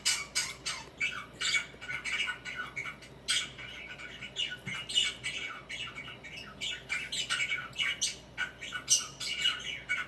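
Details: Busy warbling chatter from a pet budgie swinging and preening: continuous scratchy chirps, squeaks and squawks tumbling one after another, with occasional thin whistled notes.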